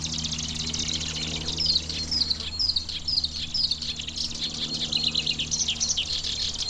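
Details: Black-browed reed warbler singing in a vast reedbed at Watarase retarding basin, Japan, in June, probably breeding; a run of high, repeated chirping notes in a steady series over a constant low hum and faint background insects.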